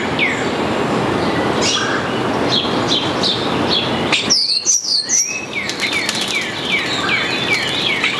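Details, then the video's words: Starling recorded during a nestbox inspection on 16 May 2020, whose varied song includes mimicry of a ringing phone. Here it gives a run of slurred whistles and squeaky notes, then clear descending whistles, over steady rushing noise. "Starling makes a ringing phone sound"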